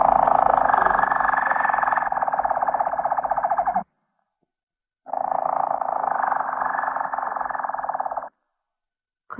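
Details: Harz Roller canary giving its roll, a low, even, rapid rolling trill held for several seconds, broken by a pause and then repeated, with a steady faint hum behind.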